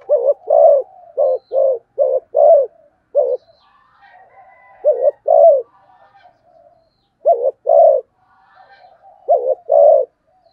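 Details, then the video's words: Spotted dove giving the fast urging coo known in Vietnamese as 'thúc gù tốc độ': low, hollow coos in quick pairs, a short note and then a longer one, in bursts with brief pauses and faint higher calls between them. "cu gáy thúc gù tốc độ"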